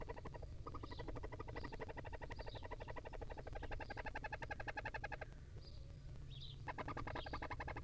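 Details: Begging from tiny barn owl young as their mother feeds them in a wild nest: sustained harsh pulsed rattling that breaks off briefly near the end, then resumes, mixed with short high squeals and low hum.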